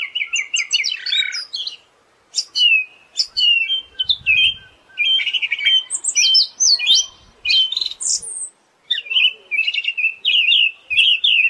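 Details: Siberian thrush song of busy high twitters, trills and slurred whistles in uneven bursts, separated by a couple of brief silences, with a faint low thump partway through.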